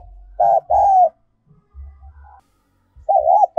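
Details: Spotted dove decoy cooing in the 'giọng còi' or 'giọng kim' style: a short coo then a longer one that drops at the end, then after a pause one wavering coo, with low rumbles and thumps between.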